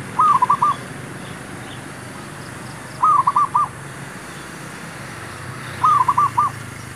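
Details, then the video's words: Zebra dove cooing as a lure for trapping wild birds, three clipped phrases of four or five quick, evenly pitched coo notes, repeated roughly every three seconds against constant hiss. "MEMIKAT MERBUK"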